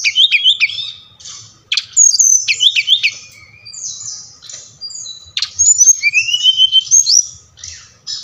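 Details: Brown-chested jungle flycatcher of the Bali type, played to stir reluctant caged birds into song: varied high warbling with quick up-and-down whistled slurs, brief gaps, then a long rising whistled run, faint low hum beneath.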